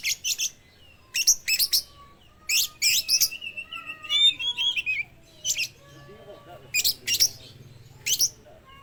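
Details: Oriental magpie-robin with speckled young plumage, in full song and imitating lovebirds, meant to lure other magpie-robins to sing; sharp, shrill squeaks in doubled bursts with gliding whistled notes, over a faint lower warbling in the background.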